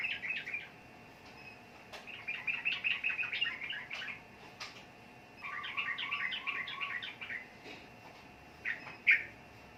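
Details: Sooty-headed bulbul (trucukan) sings rapid runs of chirping notes in several phrases, one with a lower chattering line, ending with a loud single sharp note.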